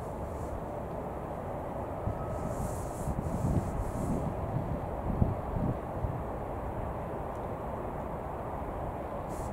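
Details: Steady broadband rumble of wind and distant traffic, with no clear animal voice.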